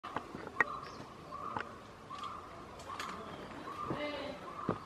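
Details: White-cheeked barbet (Psilopogon viridis) excavating a nest hole at Nandi Hills, 21 January 2022, gives low rolling purred notes in short repeated bursts, with sharp tapping knocks scattered through and faint background noise; call.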